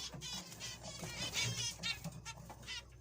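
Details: A group of zebra finches, including young birds being fed, gives short, nasal, toy-trumpet beeps that overlap in a quick chatter, over a steady low hum.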